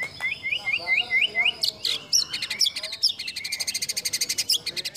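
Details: Murai batu (white-rumped shama) fill-in song for competition: a run of six repeated upswept whistles, then rapid buzzy chattering trills and sharp high notes over a constant background hum.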